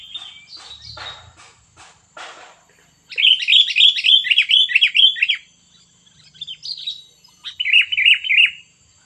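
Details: Sooty-headed bulbul singing a fierce 'poin cengkram' style song: quick bursts of bubbly, rolling, slurred notes repeated in a rapid chain, pausing then resuming. Soft scratchy chirps come before it.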